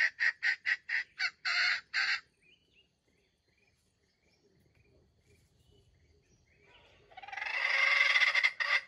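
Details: Red junglefowl bait bird in a trap delivers a fast run of short, harsh stuttered notes, goes quiet for several seconds, then gives one long, loud grinding crow.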